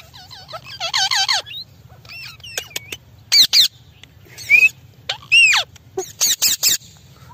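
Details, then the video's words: Parrot giving a few wavering whistled notes, then a series of short, harsh, noisy squawks and one bright upslurred squeak, separated by quiet pauses, with a steady low hum behind. "Parrot talking video amazon natural sound group parrot voice"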